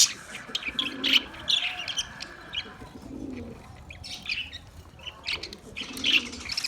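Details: Flock of Australian parrots giving bright, clipped chirps and thin squeaks in uneven bursts, with a few faint low coos in between.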